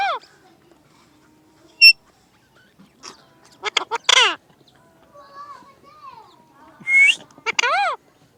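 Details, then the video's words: A parrot talking in scattered bursts: a descending harmonic squawk, a sharp click, rapid staccato chatter, soft gliding notes, and a final pair of loud arched calls near the end, with quiet gaps between. "Parrot talking"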